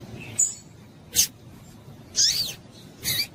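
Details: Female yellow-bellied seedeater calling to excite the male: four short, sharp, very high chips spaced about a second apart, some with a brief downward slur, over faint low background hiss.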